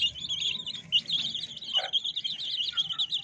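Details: Chicks of domestic hens chirping: a dense, continuous chorus of high, thin peeps overlapping rapidly throughout, with a faint lower rustle in the background.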